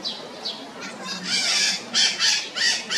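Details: Red-shouldered macaws squawk harshly. Short rising calls come first, then louder grating bursts repeated about every half second toward the end.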